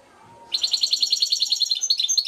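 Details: After a brief quiet moment, a goldfinch from Šuto Orizari bursts into a steady, rapid series of high, clipped notes, repeated evenly like a tinkling rattle.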